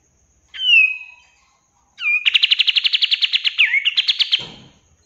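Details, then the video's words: Kapas tembak (Olive-winged Bulbul) song for training caged birds: one bright downslurred whistle, then after a pause a quick run of pulsed, rattling notes. The run closes with swooping whistles and a low thud at the end. "SUARA BURUNG KAPAS TEMBAK"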